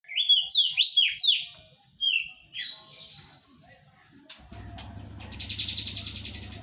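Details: Crested white-eye singing loudly and steadily: about two seconds of bright, swooping whistled notes rising and falling in quick succession, a short phrase after a pause, then faint twittering over a low hum and rattling noise.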